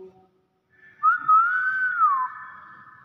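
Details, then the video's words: Pet common hill myna giving a 'wow' sound indoors: one clear whistle, slightly rising then level and falling at the end, lasting just over a second, after brief background speech. "BEO VIRAL SUARA WOW"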